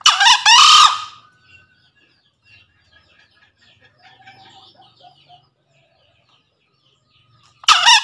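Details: Male green junglefowl crowing to call a rival, recorded as a lure sound: a loud, harsh, hoarse two-part crow bursts out at the start, followed by faint distant chirps and another crow beginning at the very end.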